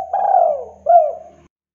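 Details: Spotted dove of a local strain, kept as a lively singer: a long wavering coo that sags downward, then a shorter arched coo fading out, with faint low background hum.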